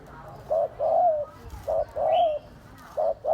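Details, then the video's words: Spotted dove cooing close up: three low, mellow phrases, each a short note followed by a drawn-out wavering hoot, with a brief high chirp between them. "Tiếng chim cu gáy có giọng gù hay nhất"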